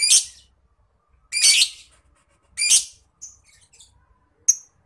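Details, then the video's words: Lovebird ngekek calling, a master sound for Indonesian contest birds: three harsh, shrill screeches over a second apart, followed by faint high chips and one sharp, piercing note. "PANCINGAN MASTERAN NGETIK LOVEBIRD NGEKEK GACOR"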